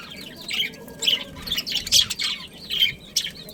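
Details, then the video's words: Budgerigar breeding pair warbling: bubbly, chirruping notes with quick pitch wiggles, repeated about once a second, mixed with a few brighter squeaks. "Budgies Breeding Pair"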